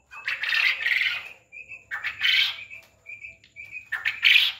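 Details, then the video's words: Quail giving harsh, raspy squawking bursts about every two seconds, with thin, high whistled notes between them. "Quail Voice||Batar ki Awaz"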